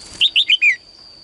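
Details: Morning song of a female bird kept in a cage, sung to urge males to sing more: a single brisk phrase of four bright, slurred chirps, the last one longer and falling, with a faint constant high tone behind.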